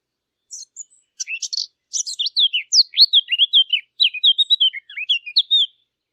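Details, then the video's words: Eurasian blackcap song for hunting lure machines: a scratchy, twittering opening that swells into a loud stream of clear whistled notes, slurring down and up, lasting about five seconds. "صوت التيان او عصفور التين"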